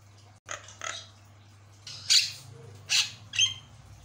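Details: Javan myna in full, lively song, said to make other mynas call back in reply; harsh, raspy, noisy bursts, two softer then three louder scratchy notes spaced under a second apart, over a steady low electrical hum.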